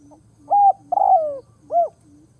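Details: Spotted dove used as a ground decoy to lure wild doves, cooing. Three mellow, hollow coos: a short level one, a longer note that slides downward, then a rounded rising-and-falling one. A faint low hum sits underneath.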